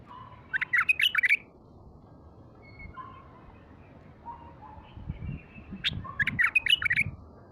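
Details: Wild-caught bulbul, a cage bird described as heavy-voiced, singing naturally: two bursts of quick warbled, chattering notes several seconds apart, with soft thin whistles between and low background rumble.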